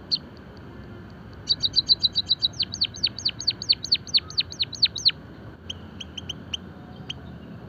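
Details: Java sparrow, used for song training and stimulation of caged finches: after two brief high notes, a rapid run of about twenty clear notes that become steep down-slurred sweeps, then scattered separate chips over a steady background hum.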